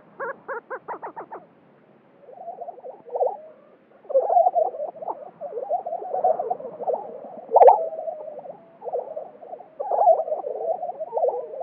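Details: Male Lesser Prairie-Chickens at a lek in New Mexico during spring display. A quick series of sharp rattling pulses leads into a continuous low bubbling, gobbling chorus, with one sharp cackle near the end.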